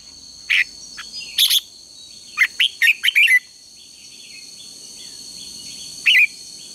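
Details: Red-whiskered bulbul singing in a morning contest-training recording: short bright warbled phrases of quick chirps, several grouped near the middle, then a pause and one more phrase near the end, over a faint steady high hiss.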